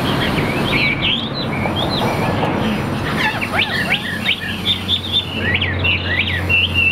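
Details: A tame Chinese hwamei in song, pouring out a rich, varied run of loud whistled notes with rapid up-and-down slurred phrases, over a steady low hum and rumbling background noise.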